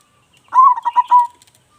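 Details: One clear phrase from a loud-voiced local zebra dove in active song, kept as a lure bird: a short rising coo that runs into three or four rapid, rounded pulsed notes.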